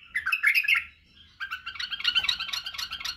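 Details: Tutoring song of a white-eared bulbul meant to train young birds: a short warbled phrase, a pause, then a longer, busier burst of chattering, rolling notes.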